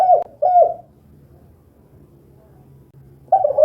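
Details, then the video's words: Spotted dove calling in 'kuk 2' style: two short mellow coos in a quick pair, a pause of over two seconds with faint low rumble, then another coo beginning at the end. "SUARA BURUNG TEKUKUR KUK 2 GACOR"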